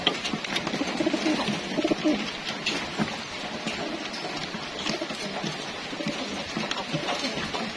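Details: Racing homing pigeons during feeding, soft low coos in the first seconds amid a dense clatter of pecking, wing movement and loft noise.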